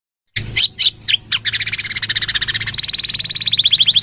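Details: Canary in full, lively 'gacor' song with long 'nembak' trills, used as a tutor and prompt for other birds. A few separate chirps open it, then a fast, steady, high rolling trill that drops slightly lower and runs to the end.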